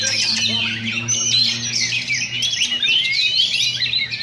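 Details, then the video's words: At a Sindanglaut practice contest, session 2, an Oriental magpie-robin duels another: continuous rich, fast warbling of varied whistles and rising sweeps, thickly layered with further singing birds over a steady low hum. "Oriental Magpie Robin Singing Contest"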